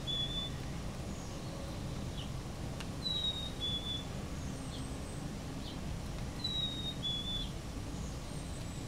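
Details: A chickadee gives clear, pure two-note "so sweet" whistles, the second note slightly lower, repeated about three seconds apart over a steady low rumble.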